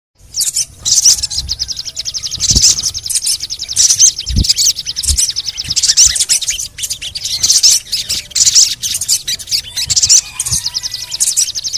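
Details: Sogon bird in a lure recording meant to prompt other sogon to sing, described as cret-cret and cuit-cuit calls: dense, very high, rapid buzzy chattering trills in long bursts, with soft low thumps beneath.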